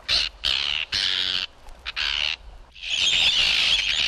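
Arctic Tern giving harsh, grating squawks in short bursts, then a longer rasping, chattering run of high scratchy notes.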